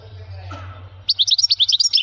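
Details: Male European goldfinch with a strong voice: after a second of low hum and faint background noise, a quick, high twittering run of chirping notes.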